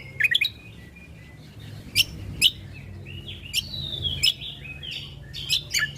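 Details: Ruby-throated bulbul lure and tutor recording: clusters of quick chirps, separate loud chips, and smooth gliding whistles that rise and fall at a high pitch.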